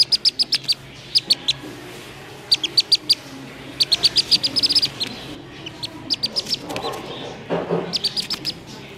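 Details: A black-bellied whistling duck chick, found at a roadside around 6:30 in the evening, gives high, piercing distress peeps in quick bursts of four to six, about one burst every second, with faint handling noise behind.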